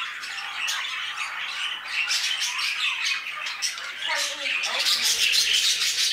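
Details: Budgerigars in an aviary: a dense, continuous chorus of chattering, squeaky calls and warbles from many birds at once, never pausing.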